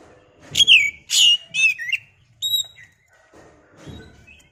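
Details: Oriental magpie-robin (kacer) song used as a lure to stir other birds into singing: a few loud, clear whistled phrases with sliding and falling notes, separated by short gaps, over a faint low rumble.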